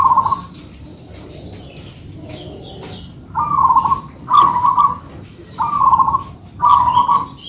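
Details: Manggung duet of two local-type zebra doves in captivity, a coo burst, a pause, then four rolling trilled coos in a steady run, faint distant chirps behind.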